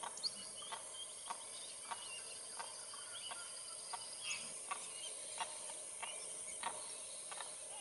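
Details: A Wattled jacana guarding its chicks in South America gives sharp, harsh clicking notes about twice a second, over a steady high-pitched insect drone.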